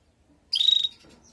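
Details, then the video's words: Call of a female canary, used to stimulate the male after feather moult: a brief, sharp, buzzy chirp with fast pulsing and a bright high whistle, followed by a faint softer note. "نداء انثى الكناري لتجهيز وتحفيز ذكر الكناري بعد غيار الريش"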